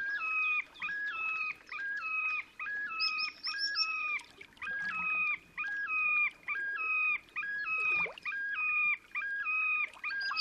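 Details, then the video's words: In Russia's Oka Nature Reserve on 30 April 2019, a displaying Terek sandpiper gives a rapid, rhythmic run of stepped two-pitch phrases, about one per second, ringing and insistent, with a brief higher insertion partway through. "Мородунка Xenus cinereus, токовые крики / Terek sandpiper song"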